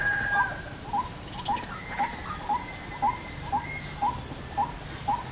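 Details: Trap-lured white-breasted waterhen in a salak plantation giving evenly spaced, sharp, hooked calls about twice a second. A steady insect whine sits above, and a few thin bird whistles can be heard.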